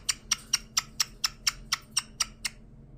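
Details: A recently adopted pet caique with a scissor beak makes cute sounds: a quick run of eleven sharp, clicky chirps, about four per second, over a faint low indoor hum.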